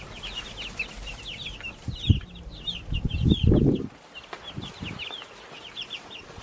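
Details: Baby chicks in a backyard peep in a thin chorus of high chirps while louder low bumping and scraping noises break in around the middle.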